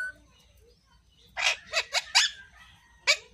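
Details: Angry pet parrot talking: a burst of four harsh, raspy, speech-like squawks in quick succession, a pause, then one more sharp rasping note, recorded indoors.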